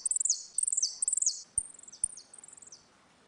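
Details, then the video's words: Saffron finch in a ringing dispute song used for training young birds: fast trilled high notes sliding downward in repeated bursts, then sparser chips, with a few clicks. "Canário da terra - Canto retinido com disputa"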